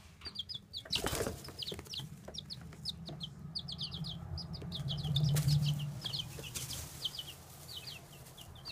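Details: Baby chicks chirping constantly, sharp high peeps tumbling over one another about three per second, with scuffling and rustling bursts and thumps from movement, all over a loud low mechanical hum.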